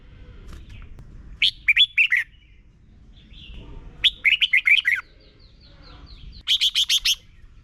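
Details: Red-whiskered bulbul, Thailand, singing for young birds to copy: three phrases a few seconds apart, two of warbled slurred notes and a last of five sharp rapid clipped notes.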